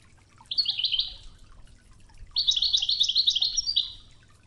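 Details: European goldfinch, Wedani-style Toghza song for teaching other goldfinches, set against river water murmur: a short twittering phrase, a pause, then a longer, busier run of high, jingling notes.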